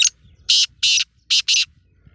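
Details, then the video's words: Black francolin, called kala teetar, calling a loud, harsh, rasping phrase of five grating notes: one short note, two longer ones, then a closely spaced pair. A faint low rumble sits underneath. "Black Francolin Voice"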